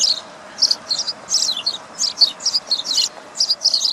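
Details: House sparrow chirping on a winter morning: a lively run of short, bright, high chirps, several each second, in irregular bursts, possibly from more than one bird; a small grey bird hopping about yards gathering crumbs.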